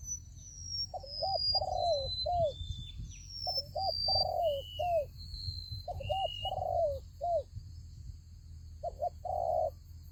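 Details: Trap decoy spotted dove in Vietnam repeats its cooing phrase four times, hooked notes then a long sliding coo; another bird adds thin, high descending whistles between phrases, with a steady high hum throughout.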